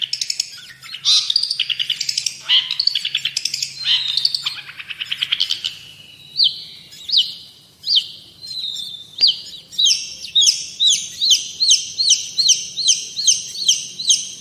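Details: Long-tailed shrike in full song, recorded to train and prompt other songbirds: harsh grating bursts at first, then clear descending slurred whistles, ending in a fast, even run of repeated rising whistled notes.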